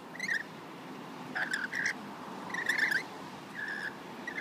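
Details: Local rainbow lorikeets visit an Australian balcony to be hand-fed. Grating, buzzy screeches come in clusters, some paired in quick succession, with short pauses between groups.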